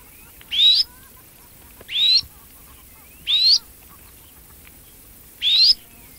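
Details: Chirping red-necked phalarope: four sharp, high-pitched notes sweeping upward, repeated roughly every one and a half seconds with slightly uneven spacing, low background hiss.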